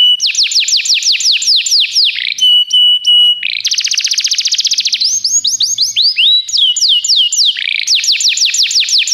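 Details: Belgian canary tutor bird in full song, alternating quick cascades of swooping notes, a flat sustained whistle, a long buzzy rattling trill, and fresh looping phrases, loud against near silence.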